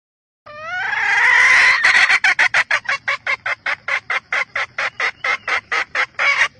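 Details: Red junglefowl hen calling to excite males: a loud drawn-out rising squawk opens, then breaks into a long fast train of hoarse clucks at a steady pace.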